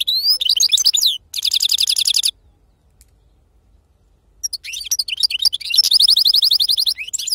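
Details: Wild-caught European goldfinch in serfati song style: quick high twitters run into a dense buzzy rattle, a two-second silence follows, then a long bout of twittering and rapidly repeated buzzy notes.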